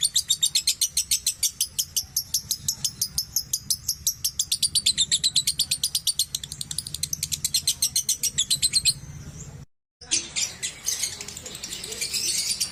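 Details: Lovebird giving a long, high chattering trill, a fast metallic series of about four notes per second held for many seconds, then a sudden break followed by a hissy burst of noisy chatter.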